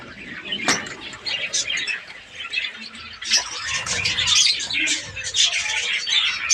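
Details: A captive budgie breeding colony with scattered chirps and warbling that builds into busier chatter, broken by a couple of sharp clicks and a low rumble in the background.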